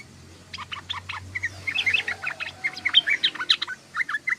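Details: Chattering ngeriwik song of a sooty-headed bulbul, a steady stream of sharp, short chirps and twittering notes that grows busier toward the end, with a faint low hum at first.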